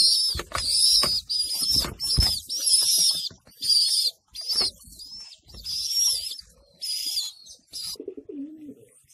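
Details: Homing pigeons at the loft during feeding of their young: rapid, high-pitched squealing bursts repeat in series, each one strained and wavering. A soft, low coo closes the sequence.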